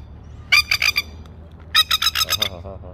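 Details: Masked lapwing (spur-winged plover) with chicks in Australia, giving two bursts of harsh, strident kek notes, four then six in quick succession, with a faint human voice at the very end.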